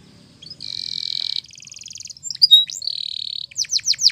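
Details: Spanish Timbrado canary singing a training song in the morning: a sustained buzzy trill near the start, then a faster rattling run, a few sharp upslurred whistles and a steady trill, ending in a string of descending sweeps.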